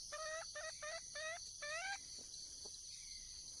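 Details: Wild hen red junglefowl calling for a male. She gives five quick, rising clucks in about two seconds, then quiet apart from a steady shrill insect drone.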